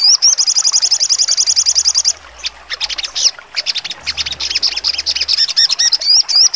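A songbird opens with a fast, even, high-pitched trill lasting about two seconds, then breaks into sharp, varied chattering notes and quick piercing whistles.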